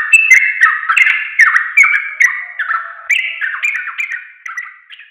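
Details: Sooty-headed bulbul, called trucuk, singing as training audio for caged birds: a fast babble of whistled, downslurred notes that grows quieter and thinner toward the end, with no other sounds present.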